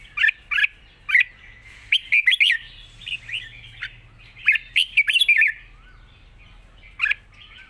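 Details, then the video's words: Long 'rik' song of a red-whiskered bulbul with a light, easy voice: chirpy two-note bursts building into rapid warbled runs, then a quieter gap and a final bright phrase, with crisp ticking clicks. "ปากเบา+ร้องง่าย เพลงยาวมีริก #นกกรงหัวจุก"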